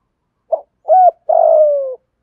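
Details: A decoy spotted dove cooing to lure wild doves, giving a short soft note, a mellow arched coo and a long, slightly vibrating, gently falling crooo.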